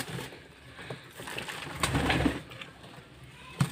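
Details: Hungry pigeons being fed after their keeper comes home: low, muffled cooing rises briefly in the middle amid rustling and handling noise indoors.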